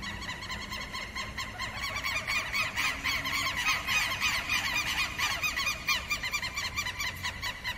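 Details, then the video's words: Southern lapwing alarm calls against predators, raised when an intruder enters its territory: dense, harsh overlapping notes repeated rapidly and steadily throughout, loud and continuous, with a low rumble of background noise. "QUERO-QUERO🎶 CANTO DE ALERTA -CONTRA PREDADORES"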